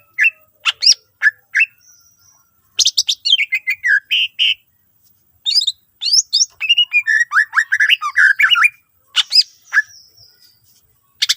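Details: Greater green leafbird, with a song meant to set other leafbirds singing: scattered sharp notes, then long dense runs of rapid chattering and sliding whistles, with brief pauses between bursts.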